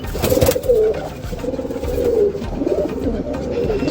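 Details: Domestic pigeons inside their loft, half of the flock indoors rather than outside, give low, soft, rolling coos that run continuously, overlapping one another in the enclosed space.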